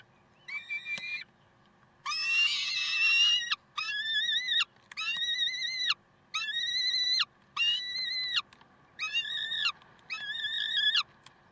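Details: Peregrine falcons at Karlsruhe, 30 May 2010, 7:27: a steady series of eight grating, level-pitched wails, each about a second long with brief silences between, the second louder and rougher, over a faint hum.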